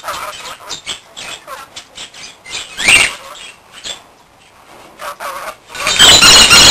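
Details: A pet Rainbow lorikeet gives rapid, shrill chattering squeaks about four times a second, with one louder screech midway and a burst of rustling noise at the end.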